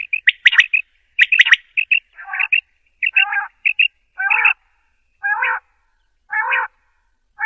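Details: Common quail female giving calls for hunting use: clicky chirps and doubled whistles at first, then rasping nasal notes repeated roughly every second.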